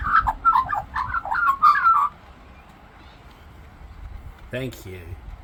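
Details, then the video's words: Australian magpie mimicking other birds in song: two seconds of loud, tumbling warbles and fluted notes, then near quiet, broken by a short low harsh sound near the end. "Talking Australian Magpie Sings and Mimics Birds"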